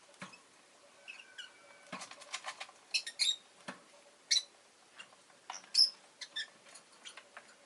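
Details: Pet rosy-faced lovebird chirping amid light town background noise, sharp high notes and a few brief whistled tones mixed with soft clicks and rustling.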